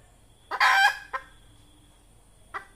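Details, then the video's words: A red junglefowl hen gives one harsh, drawn-out cackling note, then three short clipped clucks spaced about a second apart, over a faint steady electronic whine. "Tiếng gà mái rừng"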